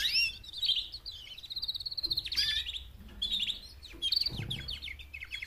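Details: Four female canaries giving mating calls meant to motivate males to sing; a continuous run of quick high trills and downslurred chirps, rolling without pause, faint low noise underneath.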